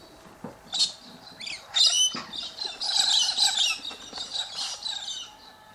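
Australian King Parrot giving a run of shrill, high chirps and squeaky notes in quick, uneven bursts.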